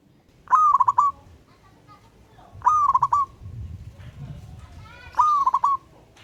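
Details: Local wild zebra dove calling a rival: three stuttering coo phrases about two and a half seconds apart, each a rising first note followed by three or four quick clipped notes, with faint other bird notes between.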